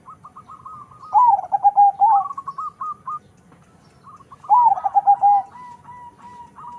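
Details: Crossbred zebra dove of local and Bangkok stock with a powerful voice: two song phrases, each a loud, deep, throbbing coo that drops in pitch, wrapped in quicker higher chattering notes.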